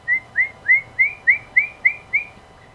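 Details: Chestnut-headed nunlet song, a species endemic to Amazonas, Brazil, played as playback: eight clear, rising whistles near one pitch, evenly spaced about three per second, in a quiet setting with a low background hum.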